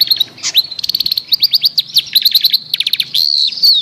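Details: Long-tailed shrike lure song, played to prompt a shrike that has stopped singing: rapid chattering of short sharp high notes, some in quick trills, with a few longer whistled slurs and a buzzy passage near the end.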